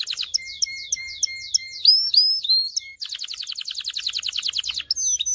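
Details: Canary song for teaching males and preparing females for breeding: a run of repeated slurred chirps over a steady low tone, rising whistles, then a long, rapid, pulsing trill ending in a whistle.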